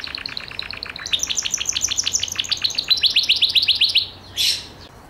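A Gloster canary sings fast, high trills of bright, repeated notes, about four a second, rising into a brisker run and ending in a brief rolled burst.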